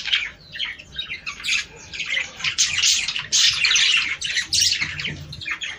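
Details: Budgies sing to encourage mating, giving a continuous busy warble of rasping chirps, clicks and squeaky notes from more than one bird, loudest in the middle.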